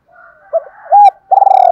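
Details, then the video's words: Decoy spotted dove cooing at dawn to attract wild birds: a low soft murmur, a short hoot, a clear sustained coo, then a loud rapidly pulsed, throbbing coo. "chim cu mồi gáy gọi bổi buổi sáng"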